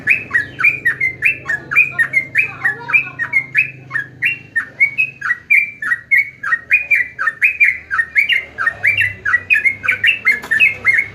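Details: Sooty-headed bulbul (jogjog, trucuk) singing a lively run of short whistled notes that rise and fall, repeated rapidly and continuously throughout, with a faint low hum underneath.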